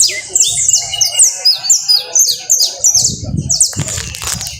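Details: Singing saffron finch, the canario costeño, gives quick high repeated downslurred notes in short bursts, then a rustling, thumping noise near the end.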